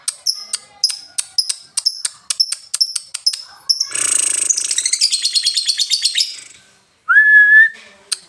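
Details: Lovebird moving from ngetik ticking to ngekek: a run of crisp high ticks roughly every third of a second, then a long rapid rattling chatter of fast repeated notes lasting about two seconds, ending with a short whistled note.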